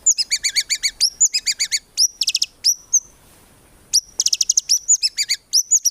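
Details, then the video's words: Murai batu (White-rumped shama) in full song of 'tembakan' fillers, no 'ngukluk' notes, for training songbirds. Varied fast phrases: rapid high chattering runs and sharp whistled notes, broken by a short quiet pause. "MURAI BATU GACOR FULL ISIAN TEMBAKAN MEWAH GAK ADA NGUKLUK NYA"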